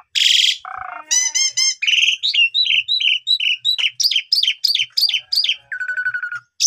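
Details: An Asian pied starling sings a lure song meant to prompt other starlings to sing: a busy, varied song of nasal squeaks, clear whistles and quick chattering phrases, about three per second, ending in a buzzy rattle.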